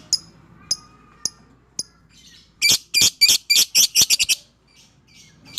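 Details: Fighter lovebird in a short chattering burst: a few sparse high chirps, then about ten rapid harsh, buzzy notes in quick succession before breaking off; offered as therapy to stir lovebirds that are reluctant to sing.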